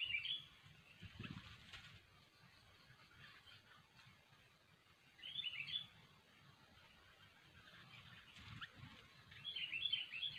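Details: Sooty-headed bulbul (kutilang) singing vigorously, a recording used as a lure for trapping: three short bursts of bubbly, warbled notes, near the start, middle and end, over steady low background rumble.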